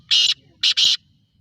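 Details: Harsh, scratchy three-note call of a Sindhi-type black francolin aged eight months. A drawn-out rasp comes first, then a brief note and a longer rasp in quick succession, with only faint low hum behind.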